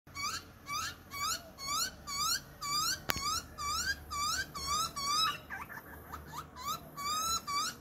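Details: A young butcherbird being fed by its parent in Australia begs with harsh, rising squeaky calls about twice a second, over a faint low rumble and one sharp click.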